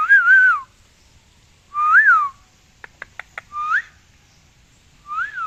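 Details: Parrot enjoying the rain, giving clear whistled notes that rise and fall, four in all, spaced one to two seconds apart, with a quick run of sharp clicks between them.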